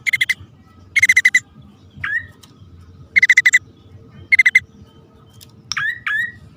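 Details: Bar-winged prinia pair, male and female, calling on a lure recording: short rasping bursts of four or five rapid notes, with an occasional single sweeping chirp, over a quiet low-pitched background hum.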